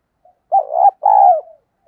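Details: Spotted dove lure coo in field-voice style, to train new birds to coo. A single loud, mellow two-part phrase: a bubbling, wavering note, a short pause, then a longer, smooth, gently falling note, with soft notes before and after.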